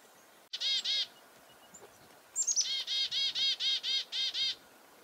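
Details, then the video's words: Chickadee raising the alarm against a nearby goshawk at Reedfly Farm, February 2021: a buzzy note pair, then high descending chips and about eight evenly spaced, harsh dee notes. "Chickadee Alarm Calls due to nearby Goshawk"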